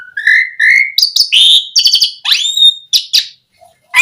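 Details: Song of the Asian pied starling, played to coax other starlings to sing: rising whistled notes, harsh grating phrases, then a sweeping upward whistle and scratchy chatters, a short quiet break, and a final note.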